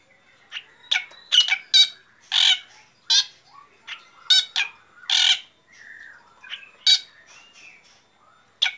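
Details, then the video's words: Black drongo singing in the morning, a lively series of loud harsh squawking notes with metallic buzzy overtones, interspersed with softer rising whistles. "Srigunting hitam gacor"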